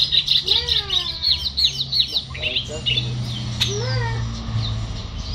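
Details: Newly arrived charlatan singing, a fast run of whistled notes and sweeping slurs repeated quickly, with lower falling whistles and a steady low hum underneath.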